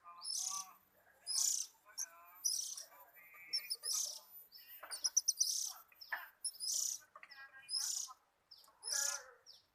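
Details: Oriental magpie-robin in a relaxed mood sings a varied song: hissing high bursts alternating with lower warbled, harmonic phrases and quick trills.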